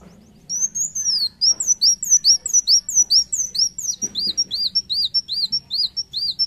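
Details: Energetic gacor song of Van Hasselt's sunbird (kolibri wulung): a long steady chain of very high arched whistles, nearly three per second, continuing for about six seconds over a low background hum.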